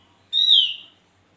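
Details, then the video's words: Javan grey-throated white-eye, locally called opior or cucak jempol, singing vigorously: one loud, clear whistled note that slides gently downward, rich in overtones, over a quiet background. "Suara burung Opior gacor Atau juga Cucak jempol"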